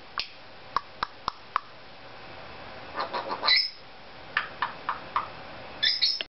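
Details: Pet Cape Parrot in a small room making silly sounds: sparse sharp clicks, then bursts of chattering notes and short shrill squawks near the end.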